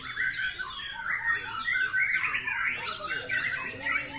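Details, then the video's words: A white-rumped shama (murai batu) pours out loud, rich, warbling phrases with rapid rising and falling whistles and harsh squawky notes, sung almost without pause. "MURAI SUARA TAJAM KYAK PETIR"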